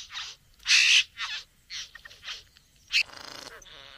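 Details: Satin bowerbird courting a female at the bower: a run of harsh, buzzy, noisy bursts, one loud grating churr, then a rattling buzz with a low mechanical whirr at the end.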